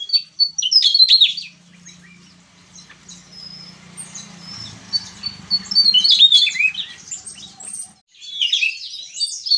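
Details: Javan tesia gacor ngeplong song in two bursts of high, tangled twittering with sharp squeaks, separated by a quieter stretch where a low hum and scattered faint notes are heard.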